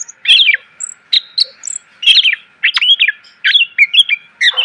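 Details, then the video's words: Greater green leafbird training song, rich in varied fill-ins for teaching caged birds: loud, clear whistles and twisting slurred notes in short bursts separated by brief pauses, with a faint constant hum underneath. "MASTERAN CUCAK IJO SUARA PLONG!!! ..penuh isian.."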